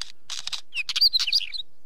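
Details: Wheatear song of dry scratchy notes leading into a lively string of high, twisting whistles and chatters.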